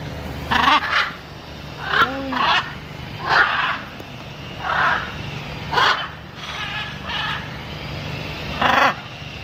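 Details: Macaw calling with a run of coarse, grating squawks, single and paired, recurring every second or so, with a few softer curved vocal sounds between them.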